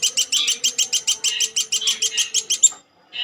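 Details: Woodpecker known as platuk sampit: a fast string of clipped, high, ringing notes, roughly six per second, ending abruptly, then a short pause and one softer note; a faint steady low tone in the background.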